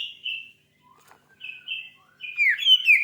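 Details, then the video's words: Oriental magpie-robin giving short separate whistled phrases with pauses between them. It ends in a louder, rising and falling warble. "Suara burung kacer terganas"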